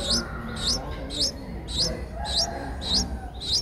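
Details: Streak-eared bulbul nestlings aged eight days, eyes opened a day earlier, Ubon Ratchathani, Thailand, 10 April 2023: sharp high upward-flicked squeaks repeated about twice a second, evenly spaced, with faint crowing and low hum underneath.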